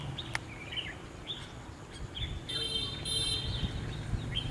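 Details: Red-whiskered bulbul used as a decoy to lure wild birds into a trap, recorded 27 November 2016; short whistled notes near the start, then a longer sustained clear note midway and more brief phrases, over a steady low hum.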